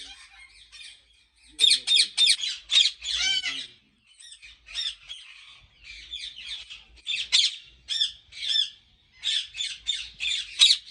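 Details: Ringneck parrots at a large breeding farm in Pakistan give harsh, high squawks in quick bursts, with a short pause near four seconds and again around six, then dense overlapping calls to the end.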